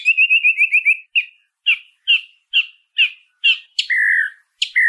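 A song thrush sings clear, high phrases: a quick rattling trill, a short note repeated about six times, then a drawn-out slurred whistle given twice.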